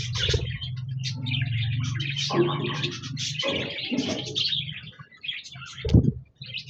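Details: Budgerigars recorded on 26 January 2024, several birds singing: a continuous busy warble of scratchy chirps and chatter, over a steady low hum.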